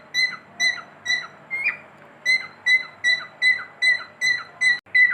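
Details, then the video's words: Pet cockatiel whistling indoors: clear, tonal notes near a steady pitch, each with a short downward slur, repeated at an even pace of about two to three per second with one brief pause midway. "My cockatiel | beautiful Whistling"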